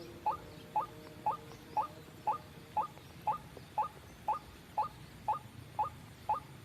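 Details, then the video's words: White-breasted waterhen call played as a lure for trapping; a steady series of short, upslurred notes about twice a second, thirteen in a row, with a soft background hum. "suara pikat burung ruak ruak"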